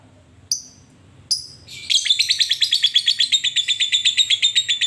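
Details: Fighter lovebird challenging a rival: two separate high, sharp notes, then a sustained rapid ngekek chatter of harsh, repeated clicks over the last three seconds, steady in pitch. No other sounds.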